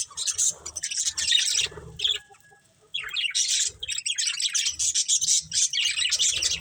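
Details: Breeding pair of budgerigars keeping up rapid, high scratchy chirps and warbles, a brief hush near the middle, then the busy chatter resumes thickly to the end.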